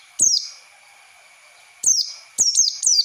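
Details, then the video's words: Oriental white-eye singing a lure phrase used to train young, untrained birds in ngalas song: a single sharp descending chirp, a pause of over a second, then a fast run of three high slurred notes. "Pancingan pleci bahan untuk belajar ngalas"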